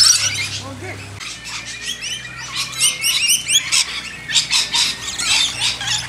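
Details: Several lorikeets hand-fed in a backyard give shrill, chattering squawks and quick rising-falling notes in overlapping bursts, with a low hum at the start.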